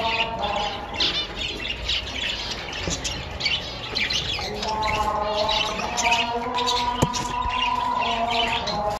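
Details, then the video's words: A pair of double-barred (owl) finches gives drawn-out nasal calls and quick squeaky chirps, nearly two a second, with other small birds chattering around them. "Owl Finch Pair / double-barred finch"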